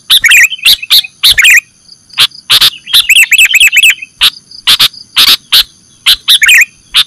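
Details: Sooty-headed bulbul, Indonesia, used to lure birds: harsh chattering bursts alternating with a fast run of bubbly, repeated rolling notes in the middle, over a steady high hum.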